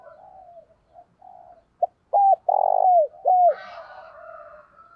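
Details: A spotted dove gives urging and calling coos, low and hollow, some soft and drawn out, others loud, arched and emphatic.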